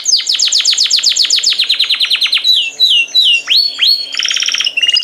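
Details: Canary singing a fast series of sweeping whistled notes that slows into separate looping whistles, then finishes with a buzzy rattling trill and a brief high note.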